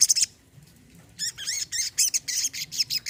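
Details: Olive-backed sunbird, with the recording meant to coax a silent bird into singing: one sharp chirp, a pause, then a lively run of high, buzzy, down-slurred twitters.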